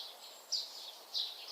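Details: Black-naped Oriole near a nest hung from a branch tip, giving two harsh, tearing, high-pitched rasps about half a second apart, a third starting at the end; presumed a call rather than song, meaning uncertain, over faint outdoor hiss.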